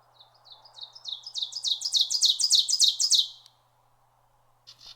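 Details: Ovenbird singing in northern Canadian woods in July 2020, during fledgling season, where it has apparently settled to stay: a rapid run of ringing two-note 'teacher' phrases, about four per second, swelling louder to a strong finish, over a soft background hum.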